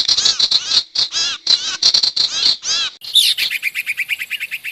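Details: Sirtu lure sound for catching wild birds: drawn-out nasal, harsh notes in an uneven series, then a shrill squeal followed by a fast, steady train of short clicking chips.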